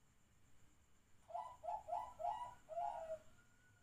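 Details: Zebra dove at midnight gives a rhythmic phrase of five clear cooing notes, the first four rolling quickly together and the last drawn out and falling, with a steady faint hum in the background.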